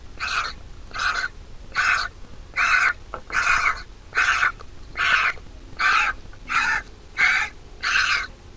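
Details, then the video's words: Mother vulture feeding her big nestling, which begs with a long series of rough, grating calls, about eleven in under nine seconds, steady and evenly paced against quiet low background noise. "Mother Vulture Feeding Her Massive Nestling"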